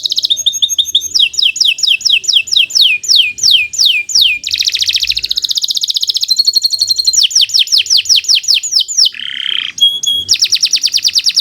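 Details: Canary singing long, lively phrases meant to teach young birds: fast high trills alternating with runs of sharply falling whistled notes, a buzzy rattling section and a brief lower harsh note, all loud and continuous.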